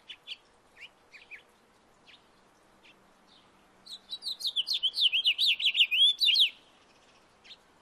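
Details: Backyard house finch: a few spaced single chirps lead into a fast, twittering warble of looping, slurred notes lasting about three seconds, then one last chirp.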